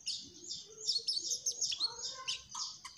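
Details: Mugimaki flycatcher singing eagerly, pouring out rapid high chirps and squeaky twitters in quick bursts, with a few clipped lower notes toward the end.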